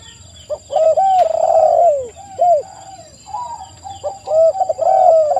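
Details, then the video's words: Spotted dove song: long descending coo phrases interleaved with shorter arched notes from more than one bird, continuous faint high-pitched whine throughout. "TEKUKUR GACOR suara merdu"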